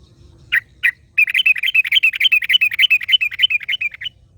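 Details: Yellow-vented bulbul singing in the wild as another bulbul replies: two isolated sharp notes, then a long, fast, bubbly chattering phrase of wavering notes lasting about three seconds.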